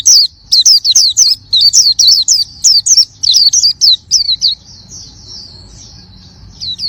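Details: Oriental white-eye singing vigorously: loud, high, sharply curving chirps repeated about every third of a second, then fading into softer, thinner whistles and one final chirp.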